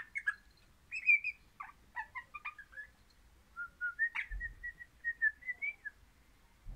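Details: Happy crimson rosella kept as a pet, described as orange, singing a long jumble of varied fluty whistles and short chirps, moving into a smoother run of evenly spaced mellow notes; a faint low thump midway.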